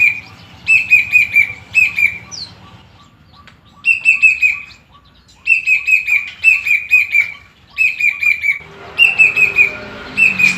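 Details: Caged plaintive cuckoo giving short series of four to six clear, evenly pitched whistled notes, each series lasting about a second and repeated every two to three seconds, with faint low background hum.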